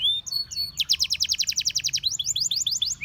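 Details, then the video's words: Canary song with a few soft whistles leading into a long, rapid, evenly pulsed trill of sharp high notes, then a brief run of sweeping chirps. "Canary Singing Bird Sounds"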